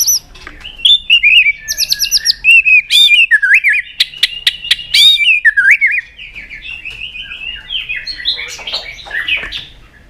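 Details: Trained white-rumped shama in full, varied song: bright looping whistles, high trills and crisp clicking notes in rapid succession, fading into softer twittering near the end.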